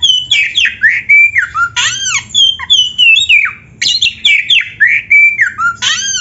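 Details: Oriental magpie-robin singing nonstop for use as training material: rich, fast phrases of arching whistles, downslurred notes and harsh buzzy elements, repeated in dense bursts with barely any gaps.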